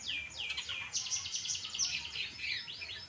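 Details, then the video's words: Energetic song of a long-tailed shrike, pastol type, used to train other birds: swooping high slurred notes run into a fast, continuous twittering with bright downward strokes and a few piercing peaks. "Burung Cendet Pastol Gacor Dor"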